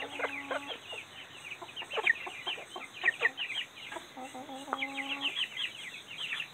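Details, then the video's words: Young splash Silkie rooster crowing for the first time: two short, hoarse, unfinished crows amid busy clucking and chatter from other hens. "Silkie Rooster crowing for the first time"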